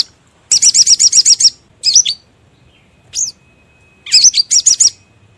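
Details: Trapping lure call of the sogon bird: a fast string of eight thin high chirps, a short twittered phrase, one lone upward-sweeping note, then another quick burst of rising chirps.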